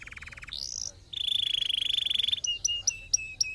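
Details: Canary song for stimulating singing. A low buzzy trill and a rising whistle lead to a long fast bright trill, then a string of short sharp notes repeated about four times a second.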